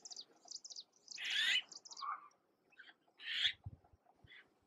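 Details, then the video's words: Recently fledged Red-billed blue magpies in Uttarakhand, India: two strong grating calls a couple of seconds apart, a lower nasal note between them, over rapid high twitters from other birds and a soft thud. "Red Billed Blue Magpie and the babies"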